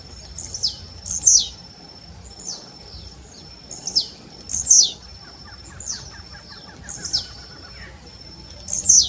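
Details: Song of the blue-black grassquit. Bright, high, downward-swept notes repeat every second or two. A thin steady high tone runs underneath, and another bird adds a faint falling trill of lower notes.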